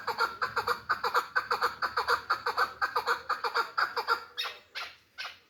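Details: Hybrid chukar partridge, caged for sale in Tajikistan, repeating raspy chuk notes in a steady rhythm about twice a second, then breaking into a few drawn-out, harsher squawking notes at the end.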